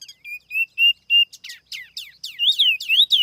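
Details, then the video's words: A silver-eared laughingthrush used as a lure sings clear, evenly spaced level whistles, then shifts to harsh, falling notes and loud swooping whistles about three per second. "TIẾNG CHIM TIỂU MI MỒI KHÔNG TẠP ÂM CỰC CHUẨN"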